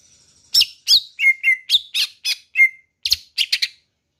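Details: Greater green leafbird from Kalimantan giving a loud series of sharp, clipped whistled notes, some downslurred, about three a second, ending with a quick cluster of chips.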